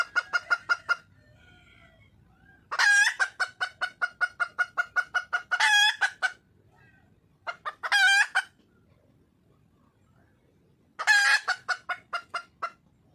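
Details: A wild red junglefowl hen calls for a male in four bouts. Each bout opens with a strident, grating squawk and continues with rapid, regular clucks. Short silences fall between bouts.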